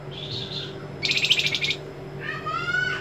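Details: Captive white-rumped shama singing a master phrase with sharp 'besetan' notes and vibrating 'geter' trills: a high buzzy burst, then a rapid pulsed trill, then a run of descending whistled slurs. Steady low hum underneath.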